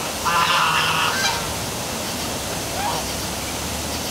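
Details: In darkness at the Milford, Connecticut City Hall waterfall, a goose lets out one strong, ragged honk near the start, then a fainter rising note, with the waterfall's broad steady rush underneath.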